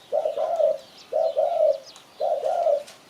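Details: Spotted dove calling, as used for luring birds to catch them: three clean double coos, each a short note then a longer drawn one, about a second apart, with faint high chirps behind.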